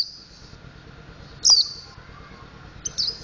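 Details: Mountain white-eye learning its ngriwik and ngeplong song, giving one loud, high, downward-slurred whistle followed by a faint, buzzy trailing note and a later quieter chirp, against a soft low drone.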